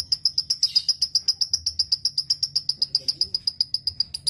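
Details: Lovebird training song meant to teach other lovebirds a more varied repertoire: a very regular series of bright, high chirps, about four per second, loud and clear throughout.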